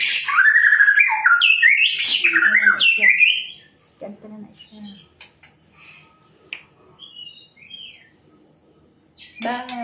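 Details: White-rumped shama singing: a loud run of varied whistled and warbled phrases with sharp up-and-down sweeps for about three seconds, then quieter scattered notes and chips, and a final loud burst at the end.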